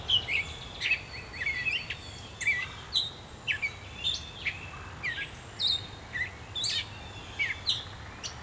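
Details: Gray catbird singing at dawn in July in Pennsylvania: a rapid, continuous jumble of varied squeaky, scratchy and whistled notes, short phrases tumbling one after another with brief gaps, over faint low background rumble.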